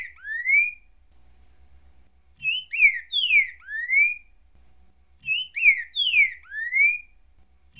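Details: Green-winged saltator (Saltator similis) giving rich, slurred whistled phrases of three or four notes, each rising then falling, repeated about every three seconds with quiet gaps between.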